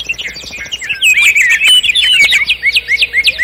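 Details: Common nightingale trilling: a jumble of bright, twisting whistles builds into a loud, dense passage, ending in a quick series of repeated chirped notes.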